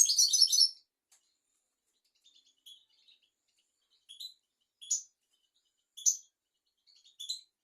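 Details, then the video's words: Goldfinch tutor song meant for young goldfinches and canaries: a short dense twittering burst opens, followed by spaced, thin, high chirps about once a second, otherwise quiet. "تغريد طائر الحسون"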